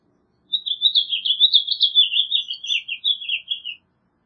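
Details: House finch singing a fast, continuous warble of jumbled chirping notes, lasting about three seconds without pause and ending on a slightly lower, slurred phrase; no other sounds.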